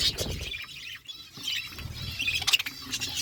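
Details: A feeding budgerigar flock keeps up a busy, high twittering chatter with short, squeaky chirps, mixed with light rustling and pecking noises.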